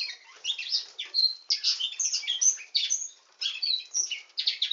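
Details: Nightingale singing canary with a busy, warbling song of overlapping high chirps, buzzy notes and brief whistles, delivered in bursts with short gaps.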